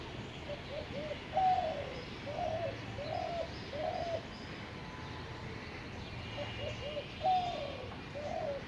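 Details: Low, mellow cooing of a spotted dove recorded in North Kolkata, 10 February 2021: two phrases of five or six rounded coo notes, the second phrase starting after a short pause, against constant faint hiss.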